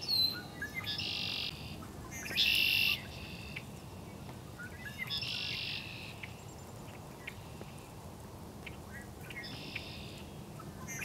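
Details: Red-winged blackbirds calling at Raymond Brook Marsh on 4 March 2011 give harsh, buzzy trills every few seconds over a low background rumble.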